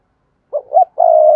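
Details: Spotted dove calling, used as a decoy bird to lure wild doves: two short cooing notes followed by a longer steady low coo, clean and close.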